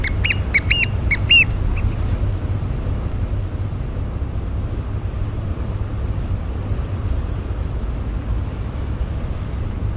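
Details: An Australian pied oystercatcher, one of a pair hunting soldier crabs on the tidal flat at Burnett Heads Boat Harbour, Queensland, gives about six loud, shrill piping notes, then a steady low rumble of wind and surf.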